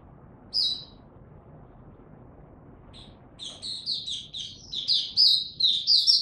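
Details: Ramping-up Oriental white-eye on 3 January 2022 in 'buka tiong aw' style: one lone high chirp, a quiet pause over soft background hiss, then a quickening series of bright, slurred notes growing steadily louder.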